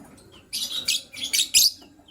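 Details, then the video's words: Lovebird chirping in the morning: five harsh, buzzy, high-pitched bursts in quick succession after a half-second pause, each growing louder, the last the strongest, over a quiet background. "Yellow Green Lovebird's melodious chirping sound"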